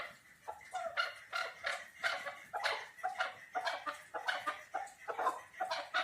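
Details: Chukar partridge giving a series of hoarse, throaty chuck notes, repeated roughly every half second in an insistent rhythm, somewhat quieter and more ragged than a full rally.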